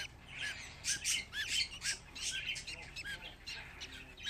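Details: Fifteen baby budgerigars together, a busy mix of high, bright tweets and short squawks overlapping at an uneven pace.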